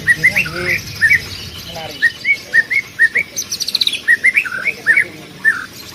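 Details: Greater green leafbird training song, lively and loud with rapid bursts: a run of short whistled notes rising and falling, repeated in quick phrases about twice a second, with a few higher twittering trills in between.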